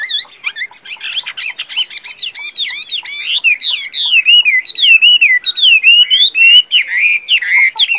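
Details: Eight seconds of sustained song from a tame Chinese hwamei kept for fighting contests: fast jumbled high notes giving way to flowing, wavering whistled phrases that rise and fall continuously.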